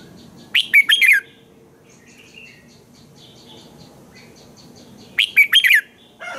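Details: Red-whiskered bulbul morning song, used as a lure to train other bulbuls. Two lively four-note whistled phrases come about four and a half seconds apart, with soft distant chirps in between.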